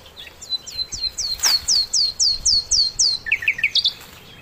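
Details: Sikatan londo flycatcher in lively song for training other songbirds: about ten loud, high, downslurred whistles repeated roughly four per second, followed by a short run of lower chirps. The background is quiet.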